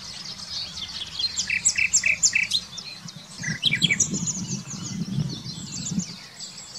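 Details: Common nightingale song recorded in 2020 near Wittlich: rapid clicking and chattering trills with sharp repeated notes in dense bursts, over a low background hum and several overlapping high-pitched singers.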